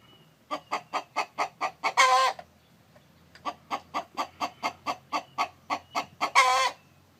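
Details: Chicken, described as a rooster calling while a hen sits on eggs. Two phrases, each a run of seven to ten regular clucks that ends in a long, loud, rasping squawk, with a brief silence between.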